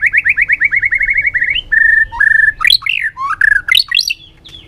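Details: White-rumped shama giving varied forest-style song for training: a fast series of about a dozen repeated chirped notes, then a level whistle and loud sweeping up-and-down whistled phrases.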